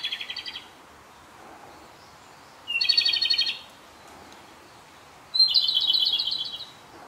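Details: Japanese robin singing in a dark spot of a familiar field on its sixth and final day there: three bright rattling trills, each under a second, spaced about two and a half seconds apart, with a quiet background.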